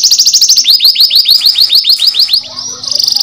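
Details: Canary song used as a lure to stimulate other canaries to sing: a loud, rapid trill of high notes, then a run of downward-sweeping rolled notes, ending in a fast high buzzy trill.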